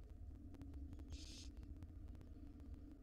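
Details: Wild barn owl nestlings, still tiny, at feeding time as the female brings food to the nest box. A single loud, breathy hiss lasts under half a second amid constant low rumble and scattered clicking.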